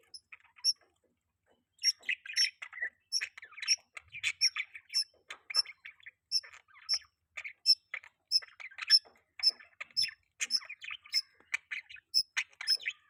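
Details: Budgies chirping in mating season, a steady stream of bright chirps and warbled notes, several per second, continuing without a break for over ten seconds.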